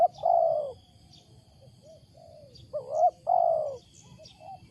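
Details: Wild spotted dove with a loud, unusual coo: a few low, hollow coo notes, two longer swelling ones near the end, with faint high chirps of other small birds behind.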